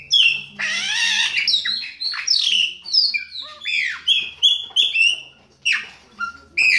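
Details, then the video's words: Chopi blackbird singing in the Baianinho style, a rich continuous run of loud whistled and slurred notes, some rising, some falling, with buzzy harsh bits mixed in and a faint low hum underneath. "BAIANINHO PÁSSARO PRETO SHOW"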